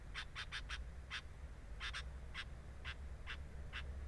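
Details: Sooty-headed bulbul at its nest, recorded by a camera placed there: short, raspy, buzzy bursts, about ten in four seconds, some in quick pairs and triplets, over a steady low hum.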